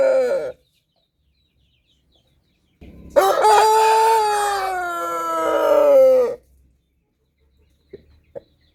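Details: Crowing rooster: the tail of one crow at the start, then after a silent gap a full, loud crow lasting about three seconds with a raspy opening and a long, drawn-out end, followed by two brief clicks.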